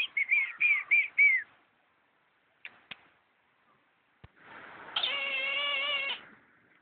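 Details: Eagle calling from its cage at Chiang Mai Zoo: a quick run of five sharp, high yelping notes, then a few clicks, then a sustained harsh, even-pitched scream of about two seconds.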